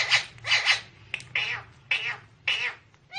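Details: Talking parrot produces harsh, breathy, speech-like bursts, about six rough syllables spaced irregularly, with low hum underneath in a room.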